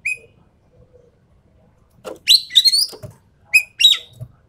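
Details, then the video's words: Endemic Sumatran treepie used for masteran or pancingan lure training: an opening whistled note, a quiet gap, then loud grating, chattering phrases rising in pitch, followed by a sharp whistle and another raspy burst. "MASTERAN/PANCINGAN BURUNG EKEK KELING SUMATERA"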